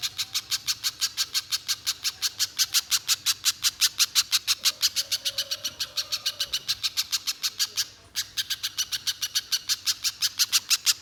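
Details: Nonstop spiderhunter song meant to goad another bird into long singing; a fast chain of rasping chip notes about three per second, breaking briefly near the end before resuming, over a low hum.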